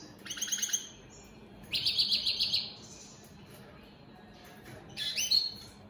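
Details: Captive opal split satinette European goldfinches singing: three short separate bursts of high twittering and a buzzy trill, with quiet gaps between them.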